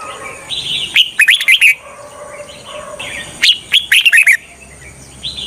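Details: Red-whiskered bulbul decoy song used to lure wild birds for trapping: two bursts of bright, slurred whistled notes, each about seven quick phrases, separated by a quieter pause with faint chatter.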